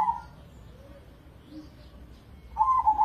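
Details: Competition zebra dove of crossing stock from Indonesia: tail of a soft rolling coo opening the recording, then quiet hum, then a fresh bubbling trilled phrase starting after 2.5 seconds.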